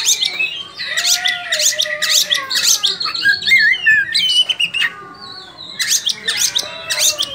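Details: Busy, overlapping song of an Oriental magpie-robin performing in gacor, ngobra style, with rich rising and falling whistles, harsh chatters and rapid note bursts. A lower drawn-out whistle threads beneath, and the singing barely pauses.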